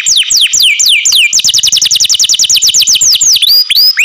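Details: Captive canary singing loudly, rapid series of bright descending whistled sweeps that speed into a fast even trill, ending in high upward-curving notes.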